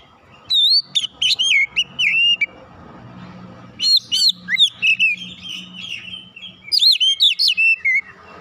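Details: Oriental magpie-robin song used as a lure, loud whistled phrases of rising and falling slurred notes with sharp chips, delivered in three bursts separated by brief pauses, faint low hum beneath.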